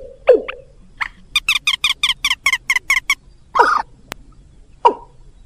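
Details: Lure sound for rails and watercock to attract birds: a sharp falling note, then a rapid series of about ten bright, harsh notes, followed by two more isolated downward calls.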